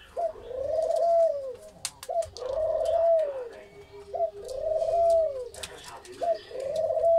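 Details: A dove at a farm in Feni gives soft, mellow coos: a short note, then a long level-then-falling one, repeated about every two seconds, while other small birds chirp and click sharply nearby.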